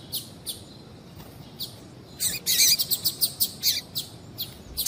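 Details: Female double-collared seedeater calling a lot to stimulate a male; sparse high chirps, then a dense burst of rapid repeated sharp chirps.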